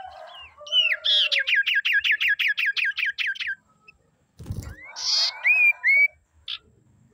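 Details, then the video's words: Female common iora song, used to lure and provoke males: a fast, even run of about thirteen chirped notes, a pause and a thump, then a buzzy rasp followed by rising whistles. "SIRTU GACOR PANDAI BIKIN LAWAN EMOSI MEMANCING SIRTU AGAR BUNYI"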